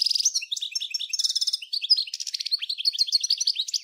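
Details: European goldfinch, Souk Ahras (Taghast), Algeria, 1995, 'nature' song like that of Djnane Bouecha and Ain Dalia dam: continuous loud twittering with buzzy trilled bursts and quick sliding chirps.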